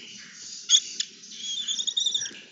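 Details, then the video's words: Lesser kestrel being fed, giving high, thin, squeaky begging notes that build into a rapid, uneven chittering run in the second half, with a couple of sharp clicks early on. "Una preciosa ceba de cernícalo primilla"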